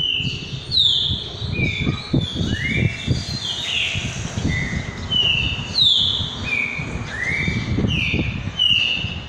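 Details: Green-winged saltator singing in the style known as "boiadeiro repetidor": clear whistled phrases of falling and level notes, the motif repeated about every five seconds, over steady low rumbling background noise.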